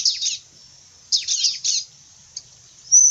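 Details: Bar-winged prinia giving short fierce bursts of high, scratchy chirps in two quick clusters, a tiny click, then a thin high whistle starting at the end.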